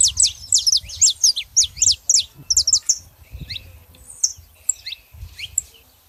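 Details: Saffron finches, a female and a male, with a loud fast series of high bright chirps about twice a second, then sparser scattered notes, over low background rumble.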